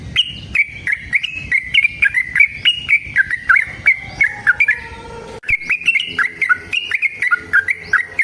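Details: Sooty-headed bulbul pouring out a lengthy, rapid fighting song of short chirping and slurred notes in quick succession, with a brief break near the middle and sharp ticking clicks throughout.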